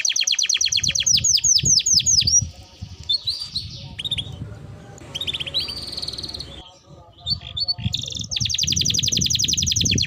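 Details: Canary singing for training birds: bursts of rapid high sweeps and trills open and close the passage, with a quieter, noisier middle section of scattered chirps and low background rumble.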